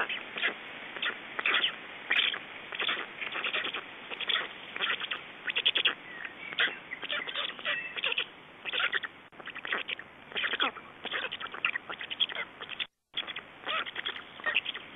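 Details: Estonian black storks at the nest, evening of 29 May 2012, feeding and changing over: long, dense stretches of rasping, clicking pulses repeated rapidly, briefly broken by a gap, over constant hiss.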